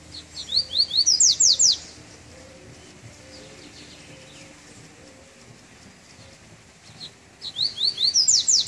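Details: Double-collared seedeater coming out of moult, on its first outing in cold weather: two bursts of rapid, very high sweeping notes run together, separated by about five seconds of quiet background hum.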